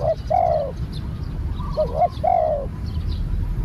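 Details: Close, clear cooing from a newly trained spotted dove: a long wavering coo, then short notes and another drawn-out croon, over a low steady rumble.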